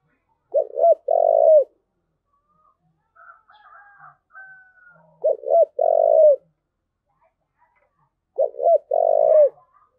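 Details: Spotted dove performing thúc gù coos, repeating a low phrase three times about every four seconds: two quick hoots then a longer vibrating coo, with faint higher whistled sounds in the gaps.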